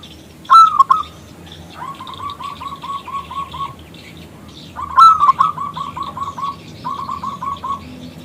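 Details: Calling a male zebra dove to sing, a local bird with a big, clear voice gives two loud rolling coo bursts, each followed by a long train of short, evenly repeated coo notes, with light chirps in the background.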